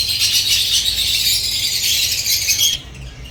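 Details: Nonstop high-pitched chatter of African lovebirds, a dense squeaky trill that cuts off abruptly near the end, leaving only a low hum before one final chirp.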